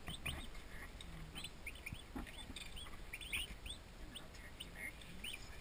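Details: Twenty newly arrived domestic turkey poults in a farm nursery, giving many overlapping high, arched peeps that rise and fall in quick succession, softly over a steady background hiss and low rumble.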